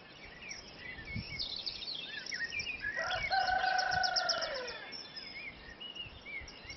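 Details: Rooster crowing during a dawn chorus at Kilronan, Inis Mór, Aran Islands, on 2 May 2012: one drawn-out, harmonic crow that falls away at the end, heard at a distance among busy twittering and whistling songbirds.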